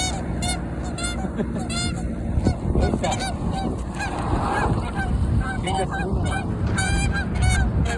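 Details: Canada geese in a territorial dispute, a flurry of loud nasal honks, many overlapping and repeated in bursts throughout, over a steady low rumble of background noise.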